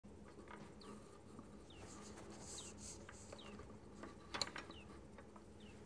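A European robin gives thin, high, quickly falling notes, repeated every half second or so, over a steady low hum and scattered clicks.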